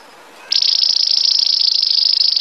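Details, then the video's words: Belgian canary bursting after a short quiet into a loud, steady high rolling trill. "Canário belga cantando muito campainha - Canary singing"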